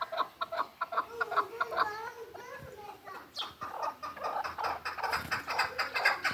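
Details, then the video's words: Hybrid partridge, a six-month-old young bird kept in Kulob, giving rapid series of repeated clucking notes with a drawn-out wavering phrase midway, the clucks resuming in quick bursts. "Кабки гибрид"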